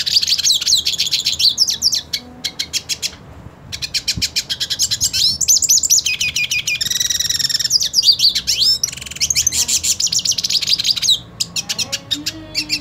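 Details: Hooded siskin, purebred, singing aggressively toward a rival hooded siskin; long run of rapid high chattering notes, buzzy trills and quick whistled slurs, broken by short silent gaps.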